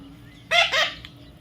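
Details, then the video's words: A single brief, harsh double squawk from a baby parrot rises out of a quiet, hissy background with a faint low drone. "natural funny parrot sound"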